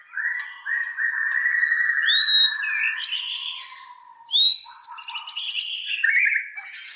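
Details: Lure song of a white-rumped shama meant to provoke others into full song: long sustained whistled notes, then sharp upward-sweeping whistles and warbled phrases.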